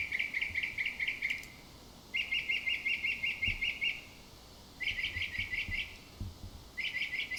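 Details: Northern mockingbird (Mimus polyglottos) song shows off its repertoire by repeating each call: high, rapid chattering phrases, each about a second long and repeated four times with brief pauses between; finding: Northern Mockingbird.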